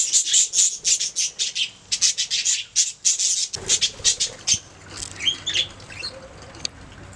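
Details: Budgerigars singing: a fast run of sharp, squawky high chirps, about three per second, then softer twittering warbles with rising and falling whistled notes toward the end.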